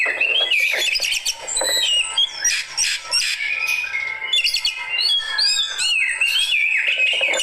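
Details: Oriental magpie-robin, a fighter-type bird, singing in reaction to another bird: a fast stream of varied whistled notes, rising and falling slides and sharp chirps mixed with harsher buzzy phrases, with no pauses.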